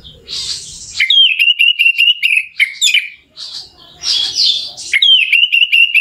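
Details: Lure song of an orange-headed thrush, meant to provoke a rival into singing: harsh scratchy opening, then a string of sharp, evenly repeated high whistled notes, the pattern starting again after a short gap.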